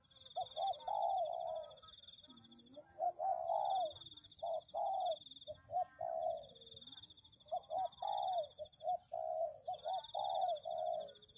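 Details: Spotted dove cooing for a lure. Dense runs of soft, rounded coo notes repeat in groups. A faint low steady tone passes midway, over a constant high insect-like buzz.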